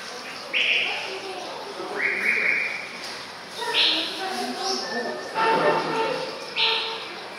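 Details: A male white-rumped shama, recorded 2014-05-24 at 51.92595, 4.45315, gives five clear, high, bright whistled phrases spaced about every one to two seconds, over a murmur of lower, softer sounds.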